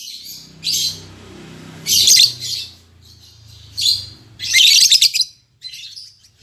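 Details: Caged lovebirds, an albino MM male and a lutino MM female newly paired, giving shrill, harsh chattering bursts at irregular intervals, about five short outbursts, with a faint low hum beneath.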